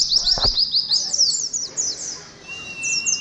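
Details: Quick burst of high, falling twittered notes from an Oriental white-eye, played to caged colony birds to steady them on the perch, thinning into scattered chirps and a thin steady whistle.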